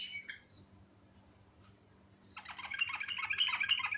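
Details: Sooty-headed bulbul singing a naturally recorded rolling ngerol song: a couple of short whistled notes, a pause, then a fast, dense, chattering roll of rapid repeated notes growing louder toward the end.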